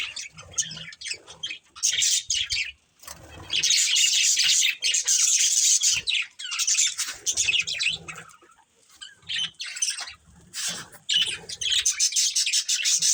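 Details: A family of budgerigars fills the air with long stretches of dense, high, buzzy chattering and chirps, pausing briefly between loud bouts.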